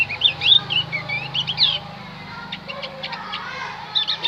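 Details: Javan white-eye singing as a lure for wild white-eyes, with quick high twittering notes and short warbles, a quieter gap in the middle, and a low steady hum beneath.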